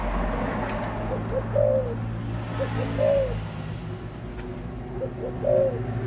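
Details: Adult spotted dove cooing: soft short lead-in notes followed by a deeper, drawn-out rounded coo, the phrase given three times about two seconds apart over a steady low hum.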